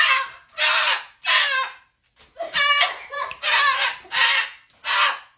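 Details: Indoor pet cockatoo protesting bedtime at night with loud grating yells, seven rough, broad screams each about half a second long, spaced unevenly and broken by a short silence near the middle.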